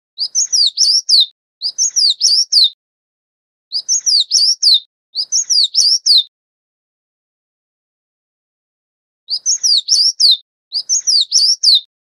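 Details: Oriental magpie-robin feeding its chicks. High, crisp chirps come in tight five-note bursts, mostly in pairs, with gaps of one to three seconds between groups. The notes are clear, twisting and bright against a completely silent background.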